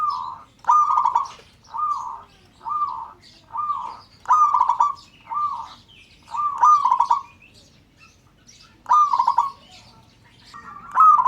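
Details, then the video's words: Zebra dove, local kind, calling to get other birds singing: a long run of repeated short rolling coos about once a second, with stuttered trills among them and faint chirps from other birds. "Perkutut LOKAL Memanggil "Bikin yang Lain Ikut BUNYI"."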